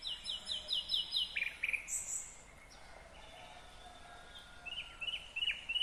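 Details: A nightingale in Kyrgyzstan, 2020, sings a rapid run of about seven sharp repeated notes, then a high whistle and a falling slur, and ends with more quick chipping notes.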